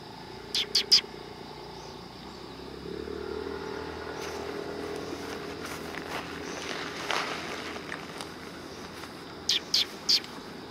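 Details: Eurasian tree sparrows at a Tenmangu shrine coming for food, 9 September 2020: three quick harsh chirps at the start and three more near the end, with a low vehicle hum and passing traffic noise in between.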